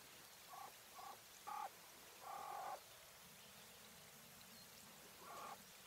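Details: Coturnix quail hen of the English White variety making several short raspy notes, then a longer harsh buzzy call, then a pause and one more nasal note, over steady low hiss.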